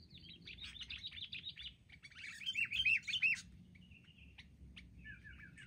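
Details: Wild sooty-headed bulbuls daring a group attack: rapid chattering, then a loud series of rising-falling whistled notes, followed by sparse clicks and a few short whistled phrases.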